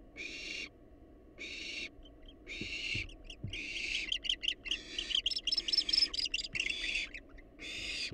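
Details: Wild barn owls at a nest box: drawn-out hisses give way to a rapid flurry of short chittering and twittering notes, then another long hiss, with soft thumps.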